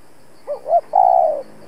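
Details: Spotted dove used as a trapping decoy, calling to challenge rivals; one phrase of two short rising coos followed by a long, level, purring coo.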